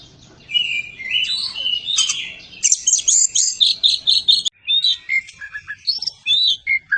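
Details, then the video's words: Caged white-rumped shama (kacer), a champion bird, delivering rapid bright whistles and buzzy chattering notes, then a string of short repeated syllables broken by brief gaps. "burung kacer juara josss"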